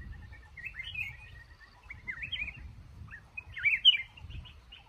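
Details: A male red-whiskered bulbul in a trap in a cashew garden gives wavering warbled phrases, building to a loud quick flourish, with low rumbling noise underneath.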